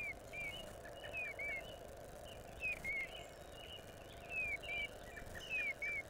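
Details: A female Eastern Bluebird sings nonstop at a nest-box camera in the early morning of April 14, 2020: soft, warbled phrases of two or three short descending whistles, repeated every second or so over a steady low hum.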